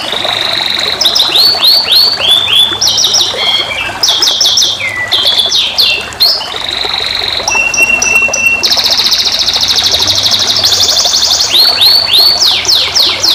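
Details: Young canary singing a rich, varied song: rapid trills, looping whistled notes and buzzy rolls, mostly high-pitched, shifting phrases every second or so with few pauses, over a faint low background hum.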